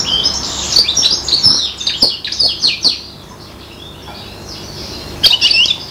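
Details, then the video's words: Serin crossed with a bronze canary, five months old, copying goldfinch song with a fast stream of high tinkling twitters and quick buzzy notes, going quiet, then one last brief twitter. "inverzellato imita il cardellino--girlitzmischling macht stieglitz gesang nach"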